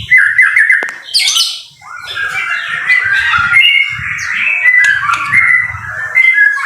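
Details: Training song of a white-rumped shama in rainy weather. Loud bursts of varied whistled phrases and sharp squawky notes mix with liquid warbles, while low rain noise runs beneath.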